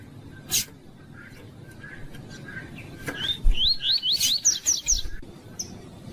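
A rusty-collared seedeater gives a quick run of about eight high, clear whistled notes, each sliding up then down, over faint background hiss and a few clicks.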